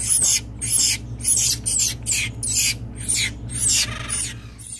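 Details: Acorn woodpeckers in rehabilitation at a bird rescue center in Santa Rosa, California. Harsh, raspy bursts repeat roughly twice a second in an uneven series, with a low steady hum underneath.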